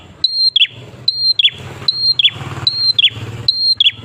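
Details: Prinia song meant to lure other prinias to sing. High steady whistles ending in sharp falling notes, five phrases in regular rhythm, over a noticeable low hum.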